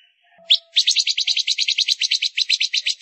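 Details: Female Gouldian finch used as a lure, after a faint whistle breaking into a rapid buzzy chatter of pulses repeated about eight times a second, sustained for over two seconds.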